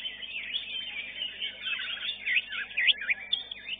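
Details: A greater green leafbird that won first place at a songbird contest pours out a fast, varied stream of bright whistles and sweeping slurs, with other competing birds chattering behind it.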